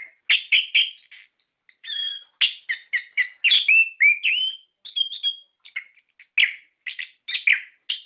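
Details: Orange-headed thrush singing in a lure recording for captive birds: choppy bursts of sharp chirps mixed with long clear whistles and rising slurs, separated by short gaps, quiet background.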